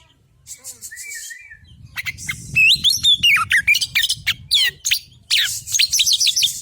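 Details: Song of a male Oriental magpie-robin, white-breasted, played to prompt another bird to sing: soft whistles at first, then loud swooping whistled phrases mixed with harsh buzzy rasps and quick chirps, with a low rumbling background.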